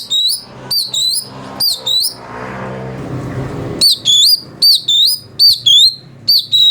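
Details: Cucak cungko (chestnut bulbul) song used as a master for magpie-robins: loud, clear rising whistled notes with upswept ends, a burst, a pause with background murmur, then a faster run of similar notes.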